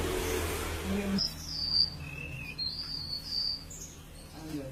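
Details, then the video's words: Siur laut bird singing actively: after a second of rushing noise, thin high whistled notes slide and waver, one lower whistle between them, with a faint low hum underneath. "burung siur siur laut gacor"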